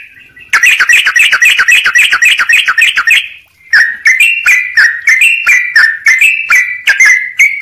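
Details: Sooty-headed bulbul song for training other birds: a rapid rattling series of clipped notes, a short gap, then spaced liquid whistled phrases alternating higher and lower.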